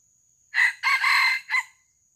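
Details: Junglefowl crowing during traditional luring (pikat) used to catch live wild junglefowl; a loud three-part crow with a short opening note, a longer drawn-out middle phrase and a brief clipped ending, over a steady high whine.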